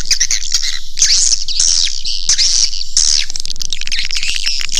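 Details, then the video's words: Swiftlet caller for drawing birds into a nesting house. Bright, high chirps arrive in bursts about once a second, sliding and twittering over a steady layered chatter. "Suara Panggil Walet"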